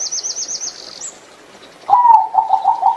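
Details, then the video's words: A zebra dove (Geopelia striata), a small grey bird kept for its voice, gives a soft, rapid run of staccato cooing notes after a high, quick trill from another bird. "The Melodious Sound of Turtledoves"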